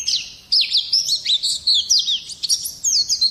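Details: Brief Oriental white-eye song, meant as a bird lure and tutoring material: after a thin opening note, a quick chain of sharp, high chirps and twisting whistled slurs in an uneven rhythm.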